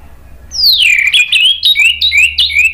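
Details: Male orange-headed thrush in captivity giving lure song: a long whistled note sliding downward, then a quick run of clear, looping whistles repeated several times, loud and bright over a faint low hum.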